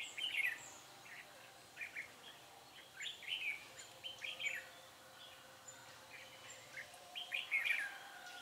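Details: Red-whiskered bulbul singing at a trap on 10 December 2016 to attract wild birds; clipped, bright warbled phrases come in spaced bursts, the loudest at the start and close to the end.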